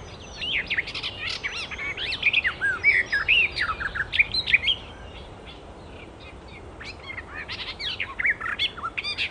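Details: Icterine warbler singing in the wild: a busy outburst of rapid twittering, whistled and scratchy notes, a brief lull, then further fast high chattering phrases.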